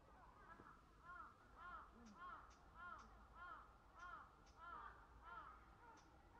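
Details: Black-crowned night herons (Nycticorax nycticorax) in a colony at Sanpoji Pond on 28 January 2024 give harsh, croaking calls, repeated roughly twice a second, over a steady low background rumble.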